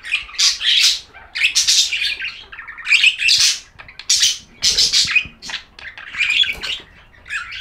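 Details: Continuous budgerigar warbling: dense, rasping, chattering phrases in quick succession, each burst harsh and high, separated by very short gaps.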